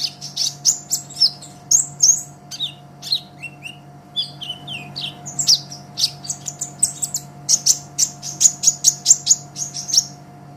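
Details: Brown-throated sunbird (kolibri ninja) in lively, sustained song for a songbird-training master: varied high chirps and slurred phrases building into a fast series of repeated sharp notes, over a constant low hum.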